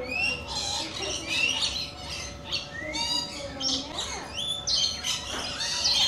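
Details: Lorikeets, described as coconut and rainbow lorikeets wanting to visit, giving harsh, screechy squawks and rasping chatter from several birds that overlap almost continuously, with sharp high notes and short rising and falling screeches.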